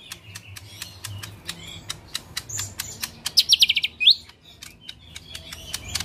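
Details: Lesser green leafbird singing 'tembakan kasar' style. A tight burst of about six rapid high notes ends in a sharp rising whistle, surrounded by scattered dry clicks.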